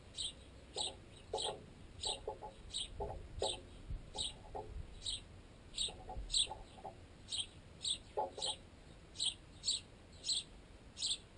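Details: Sparrows, including fledged juveniles still fed by their parents, feeding on baguette wedged in a tent guy line: thin, high chirps repeated about twice a second, mixed with loud hollow pecking knocks carried through the tent pole.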